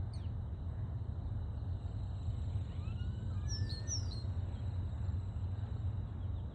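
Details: Common starlings on a September 26 morning: a few thin, sharply descending high whistles and faint gliding notes around the middle of the recording, over a steady heavy low rumble.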